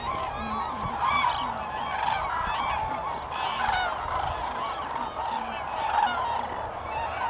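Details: A dense chorus of cranes calling at Lake Hornborgasjön, Sweden, April 2017. Overlapping rolling, trumpeting calls sound continuously, with a few lower honks beneath and no pause.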